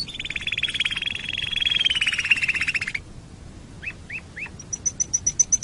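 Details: Quiet canary song for training other birds: sustained rolling trill for three seconds, then a few rising chirps and a short series of high repeated notes.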